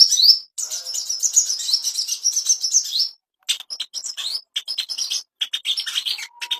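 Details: Ashy tailorbird master song played to bring birds into breeding condition: a fast run of high chirped rising notes for three seconds, then broken, scattered chirps and clicks.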